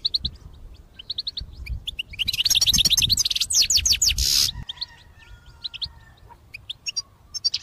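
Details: Goldfinch in a cage singing fiercely, a song meant for trapping: short clipped high notes in quick series, then a loud burst of rapid twittering mixed with a harsh noisy rustle, then sparse chips again.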